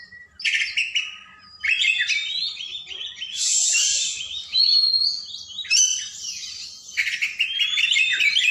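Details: Kacer, the oriental magpie-robin, sings a long lively training song meant to prompt lazy birds to sing: rich mix of sweet whistles, scratchy buzzes and rapid trilled runs, delivered in near-continuous bursts.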